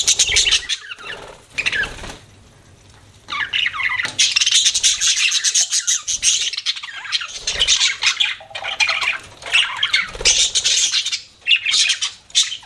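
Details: Pet budgies chirping and chattering in dense, scratchy warbling bursts broken by brief pauses, squawky notes mixed into the busy flock chatter.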